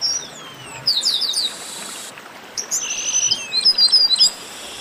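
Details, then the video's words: A 'baderna' of chestnut-capped blackbirds. Sliding whistles and clusters of sharp chirps mix with a steady buzzy note. Overlapping high twitters from several birds follow. "Baderna de Garibaldi"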